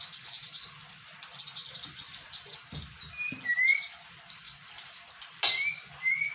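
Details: White-rumped shama singing a song that imitates a bar-winged prinia: bursts of rapid, high, dry ticking trills repeated about every second, broken by short clear rising whistles, with a low background hum.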